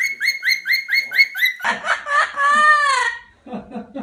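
Parrots chatter in a fast run of about eight harmonic, chirpy notes, then a harsher squawk, a long rising-falling screech, and low gurgling notes at the end.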